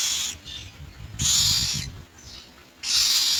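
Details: Common myna collecting insects for its young: long, harsh hissing rasps, three drawn-out bursts separated by quieter gaps, with soft low noise beneath.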